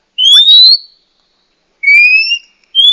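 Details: Calls of a female Oriental magpie-robin, used to draw a male into song or heighten his breeding urge: a loud rising whistle, a gap, a two-toned upslurred whistle, then the start of another clear whistle.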